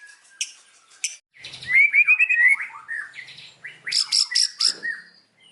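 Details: White-rumped shama singing in the afternoon, showing off loud learned phrases: sharp high chips, then a fluttering whistled warble near the middle, then a burst of rapid high ringing notes.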